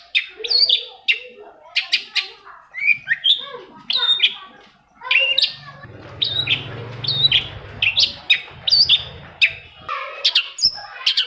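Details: Long-tailed shrike song for prompting other shrikes to sing: varied chirps and harsh slurred notes in separate phrases, with a low hum underneath in the middle part.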